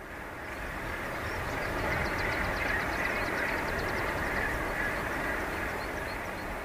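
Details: A Northern Gannet colony nesting on a guano-white rock off Alderney, a couple hundred metres away, makes a steady, rumbling clatter like far-off machinery, with a skylark's thin trilling song faintly above it and some wind.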